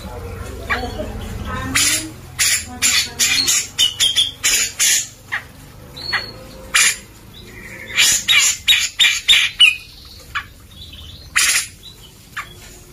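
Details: Grey-cheeked bulbul singing vigorously, recorded as training material for white-rumped shamas: a run of harsh, broadband chattering bursts in quick uneven succession, mixed with short clear whistled notes, over a faint low hum.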